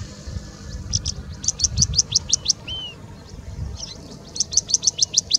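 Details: Singing bush lark in India, a mimic of other birds, delivering fast bursts of sharp high chips about six per second, broken by one slurred whistle, then another rapid burst.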